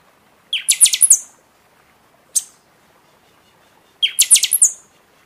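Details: {'caption': 'Buffy-fronted seedeater in full seasonal song, meant to spur caged birds after moulting: a loud fast run of shrill metallic notes, a lone sharp note, then another similar ringing run; background otherwise quiet.'}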